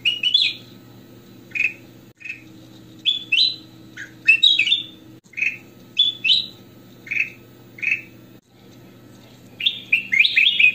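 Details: Lively goldfinch (kutilang emas) song for training and luring other finches: crisp high chirps and slurred notes repeat in short phrases, about four a second, with small gaps between them. Steady faint low hum throughout.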